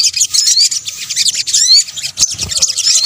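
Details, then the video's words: Sunbird (sogok ontong) in a combination lure recording: continuous bright, high twittering with several upslurred whistled notes and a couple of soft knocks toward the end. "kombinasi suara sogok ontong"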